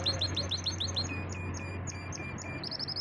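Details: Singing champion canary kept as a pet, delivering fast runs of bright chirped notes, about three per second, then a softer thin tone and a quick closing trill, against a constant low hum.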